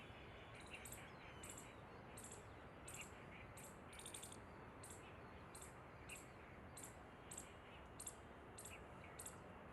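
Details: An Asian green bee-eater family in Ahmedabad, India, on 2 December 2022 at 11:20 am gives short, high, trilled chirps about twice a second, some overlapping from several birds, over a steady low rumble and hiss.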